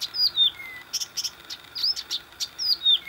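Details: Blyth's reed warbler singing in Warmia on 10 June 2020: a high, varied song of sweet whistled downslurs mixed with dry clicking notes, phrases at an unhurried pace.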